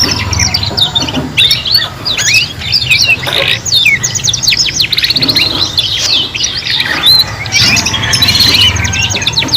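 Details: Three young canaries practising song together, a continuous jumble of high twittering phrases, quick buzzy trills and rising whistled slurs from overlapping birds, with a faint low rumble underneath.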